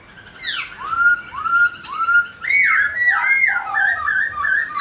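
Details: Captive black-throated laughingthrush dancing while singing indoors: a series of loud, clear whistled notes that slide down then rise, followed by quicker looping, warbled phrases that run together.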